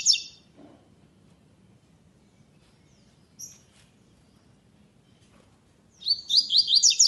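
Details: Double-collared seedeater, classic song without third note, entered in a web singing tournament: a brief high chatter, quiet pauses with one short note, then a loud fast series of high, buzzy repeated notes.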